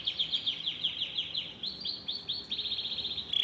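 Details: Yellow Belgian canary singing steadily: fast rolling trills of repeated rising notes, about eight per second, shifting in speed partway through, with light background hiss.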